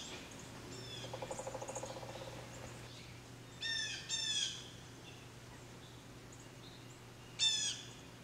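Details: A blue jay gives a short pulsed rattle, then a pair of harsh, buzzy, downslurred calls, and after a pause one more similar loud call; steady low hum runs underneath.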